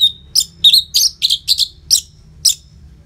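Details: A loud, frequently singing Orange-headed thrush, played to spur quiet caged birds to join in. A thin whistle opens, then a steady series of short, high, clipped notes repeats about three times a second.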